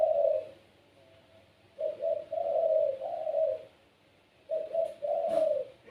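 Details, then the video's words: Kept puter pelung dove with a gacor voice, a seed-eating cage bird, giving low mellow coos in two-part phrases, long rolling notes after short ones, with pauses between bursts and a faint click. "PUTER PELUNG SUARA GACOR||Bikin puter lain ikut bunyi."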